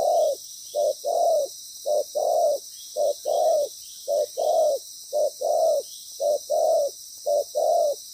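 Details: Loud decoy spotted dove calling in a well-formed pattern during ground-bait trapping. About eleven quick coo pairs follow one another in eight seconds, each a short low note then a fuller, longer one, steady and evenly spaced.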